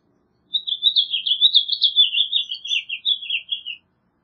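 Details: A single continuous warble from a House Finch, a bright run of quick, tumbling chirps lasting about three seconds, wavering up and down before ending on a slightly lower note.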